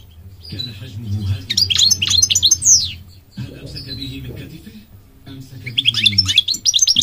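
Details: Two bursts of high, tinkling twitters from a goldfinch separated by a quiet gap, with a man's narration and low hum audible between phrases.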